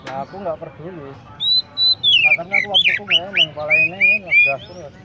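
An Oriental magpie-robin sings a varied run of clear, slurred whistles, rising and falling in quick phrases, over a low murmur like distant voices.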